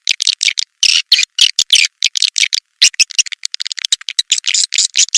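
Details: Swiftlet calling sound played to draw swiftlets in: harsh, rasping chirps in short choppy bursts with brief gaps, fast and irregular.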